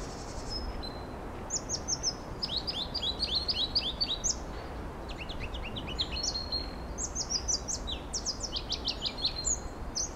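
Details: A Pallas's leaf warbler at Laren, Netherlands, on 31 March 2012 gives bursts of high, quick downslurred notes and chirpy trills, a few each second, over a low steady rumble.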